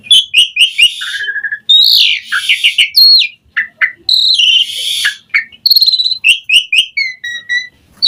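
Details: Asian pied starling singing, recorded as a lure to make other starlings reply: a loud, varied run of whistles, slurred rising and falling notes, buzzy chatter and short chirps, with barely a pause.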